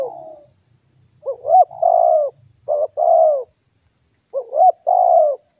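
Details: Spotted dove lure call for attracting and provoking wild doves: three phrases of short rising coos followed by extended mellow falling coos, spaced about 1.5 seconds apart; a steady high hiss in the background.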